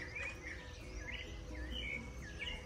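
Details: A thrush, identified as a sabiá-bico-de-osso (Pale-breasted Thrush) rather than a Rufous-bellied Thrush, sings a long, flowing string of clear whistled phrases swooping up and down while hidden near bird breeding pens; low background rumble.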